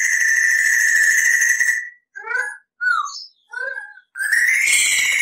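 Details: Crested laughingthrush tutor recording with long clear rolls: an extended even trill, a pause, four short downslurred whistled notes, then another trill starting with a rising sweep.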